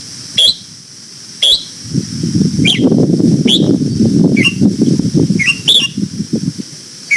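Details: Red-whiskered bulbul singing in the morning during voice training for the old-forest double-note song. A series of short, high whistled notes repeats every second or so while a low rumbling noise rises midway.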